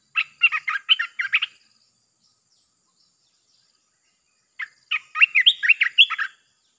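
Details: Red-whiskered bulbul song used to attract wild birds, two rapid chattering phrases of quick whistled notes, the first at the start and the second after a three-second silence.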